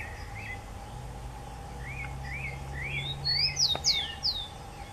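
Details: Chingolo (rufous-collared sparrow) song: a run of clear, high whistled notes slurring downward, loud in the last second and a half. Softer chirps from other birds come before it, over a low steady hum.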